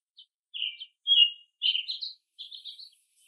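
An American robin sings four quick, clear caroling phrases, each a slurred whistle that rises and falls, separated by brief pauses. Nothing else is heard.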